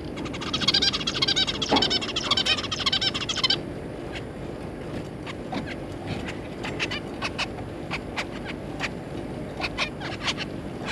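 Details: Zebra finch parents with three juvenile offspring, 3 July 2022: roughly three seconds of fast, nasal chattering, then a long run of short clicking ticks and faint notes against a steady low hum.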